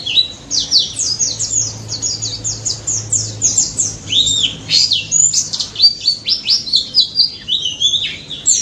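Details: Lively white-eye in ngalas song as a lure for mute white-eyes: a fast, chattering run of high, slurred notes, each note swooping, packed tightly in a continuous cascade over a low steady hum.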